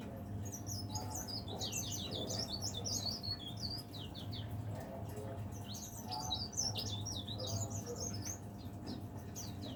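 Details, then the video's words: Leaf warbler kept as a cage bird, singing from morning until afternoon, delivers continuous high, thin twittering notes in quick bursts, with a steady low hum underneath. "burung pare-pare / cikrak daun gacor"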